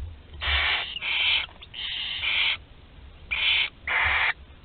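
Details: The last barn owl chick in a nest at Théding, France, on 26 July 2020, uttering long, wheezy, rasping hisses back to back, several running together with scarcely any pause.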